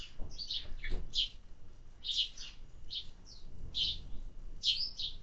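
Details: Bursts of bright chirping from sparrows fed in summer, notes clustered in quick pairs and triplets with short pauses between, over a low rumble.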